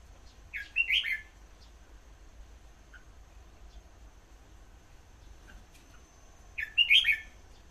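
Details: Red-whiskered bulbul singing two brief bright warbling bursts about six seconds apart, with a few faint notes between, against steady low background rumble.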